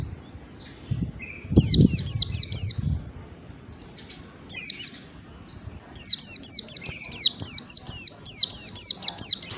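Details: White-eye ngalas bukpar training song for caged birds. A short buzzy note leads into bursts of rapid, falling high whistles, which become a long, almost continuous run near the end, with some low background rumble.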